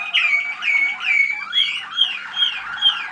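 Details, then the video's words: Waterslager canary song from young 2010 birds at a listening session, 25 November 2010; a rapid series of liquid, falling whistled notes repeated a little over twice per second. "канарейки . waterslager. malinois."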